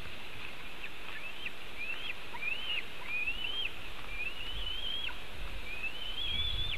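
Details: White-tailed eagle on a nest webcam in Latvia, 4 July 2018 at 5:08 pm, as one eagle steals part of a fish from another; about six arched, rising-then-falling whistled notes in a loose series over faint background hiss.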